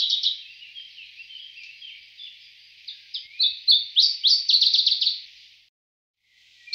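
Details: Chiffchaff song over a constant high hiss. Faint notes at first, then a clearer run of rapid, downward-slurred notes repeated quickly before fading out.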